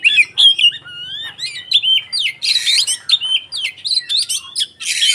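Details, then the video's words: White-rumped shama fighting song meant to provoke rival shamas: continuous loud medley of looping whistles, harsh buzzy bursts and sharp chips, varied and fast throughout. "SUARA BURUNG Kacer konslet TARUNG untuk PANCINGAN KACER agar ikut KONSLET"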